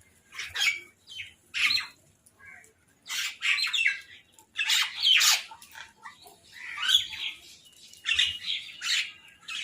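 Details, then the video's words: Fighting crows at a food source: repeated hoarse, grating squawks in irregular clusters, loud bursts alternating with silent moments. "Crow Fight | Crow Eating Food"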